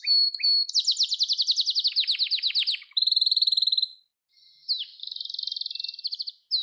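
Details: Canary singing in a recording meant for teaching young canaries: two short whistles, a long fast trill, a very rapid buzzing roll, a pause, then a softer rattling trill.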